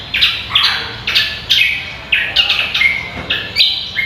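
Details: Greater green leafbird singing on a songbird-contest training recording: lively whistled phrases that shift between higher and lower pitches in quick succession, with almost no gaps.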